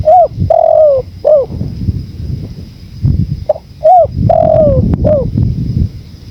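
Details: Spotted dove in a bird-training recording blended with wind: two cooing phrases of a rounded coo, a long falling note and a short coo, separated by a quieter stretch of low wind noise.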